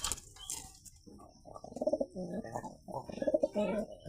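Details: White high flyer pigeons kept at home: low, throaty cooing phrases in short bursts, each with a rolling rise and fall, over faint room noise and brief voices.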